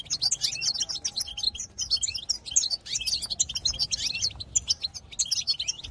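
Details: European goldfinch singing to stir up other goldfinches, a dense, unbroken stream of tinkling chirps, short trills and quick slurred notes, with the busiest bursts near the middle and end.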